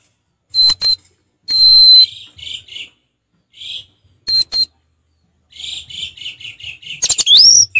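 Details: Orange-headed thrush, a kept songbird, singing in a relaxed, calm manner; sharp high clicks and short slurred whistled phrases at intervals, ending in a rising and falling whistle.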